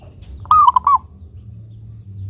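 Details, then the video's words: Lure recording of a local zebra dove with a clear voice: one crisp cooing phrase, a rising opening note that breaks into quick bubbling rolled notes, over faint low hum. "Perkutut Lokal Gacor Suara jernih ini Paling Ahli bikin Pancingan Burung Perkutut Agar rajin Bunyi"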